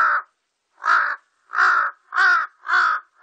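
A large-billed crow gives five harsh, hoarse caws, each about a third of a second long, spaced roughly every half second, with nothing else heard.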